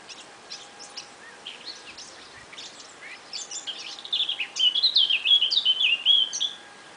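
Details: Small bird giving thin high twittering notes, faint at first, then a louder rapid series of whistled and slurred chirps over the last few seconds, with soft background noise.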